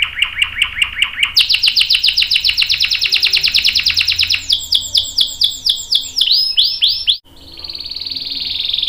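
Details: Canary in full song with a long roll, used to prompt other canaries to sing: rapid repeated trilled notes at high pitch, shifting through several tours into looping buzzy phrases, with a brief cut before a sustained tone.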